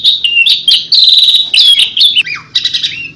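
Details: Asian pied starling giving 'tembakan' song, meant to draw in other birds: clear high whistles, chirpy clicks and a falling slurred note near the end, in a rapid uneven sequence.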